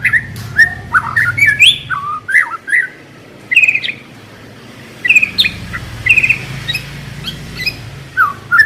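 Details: White-rumped shama song used as a lure to get a caged shama singing: bursts of rich whistled and warbled phrases, sliding notes and short sharp clicks, separated by brief pauses, with a faint low hum beneath.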